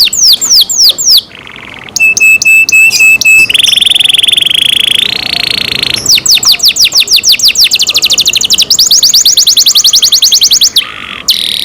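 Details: Song of a kept canary, loud and varied: quick falling slurs, a clipped stuttering trill, a long steady buzzy roll, then fast rattling runs of repeated notes and more slurred whistles.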